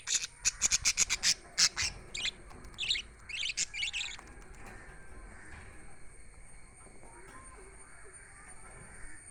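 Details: Budgies chirping in a fast burst of loud, sharp high chirps during the first four seconds, roughly a dozen notes in quick succession, then fading to quiet background hiss.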